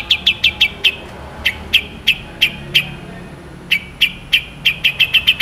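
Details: Long-tailed shrike singing actively, described as a master recording with long, sharp bursts; short sharp notes at one high pitch fire rapidly in uneven clusters, about thirty in five seconds, with faint low rumble behind.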